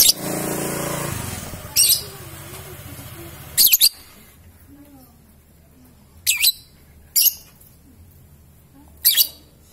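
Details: Young caged lovebird, three and a half months old, trained for mental toughness: after a stretch of broad noise and a low voice, five sharp high squawks, some doubled, come at irregular gaps.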